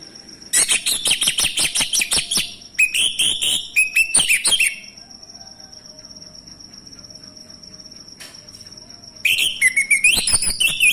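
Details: Male orange-headed thrush song used as a lure to provoke other thrushes into singing: rapid bursts of sharp, varied whistled and chattering phrases, a pause, then a renewed fast run of rising whistles, over a steady high electronic whine.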